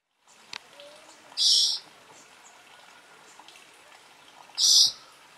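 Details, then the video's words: Spotted forktail calling at Namchi, South Sikkim, gives two loud, harsh, high-pitched screeches about three seconds apart, over a soft rushing hiss like running water. "Spotted Forktail"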